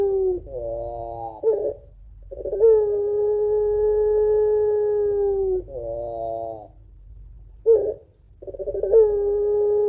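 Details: Home-kept puter pelung, a Barbary dove prized for a long crying two-note song that lures other doves. Long level mournful tones, several seconds each, split by short rough warbles and gaps.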